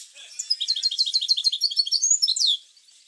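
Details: Single rapid phrase of European goldfinch song, played to spur goldfinches to sing: fast, evenly spaced high twittering notes ending in a descending slurred note.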